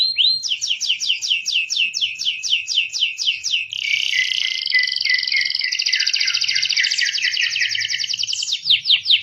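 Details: Canary song used to teach young canaries to sing: fast repeated sweeping trills, then a long dense buzzy rolling tour, then more quick rising notes, bright and high throughout.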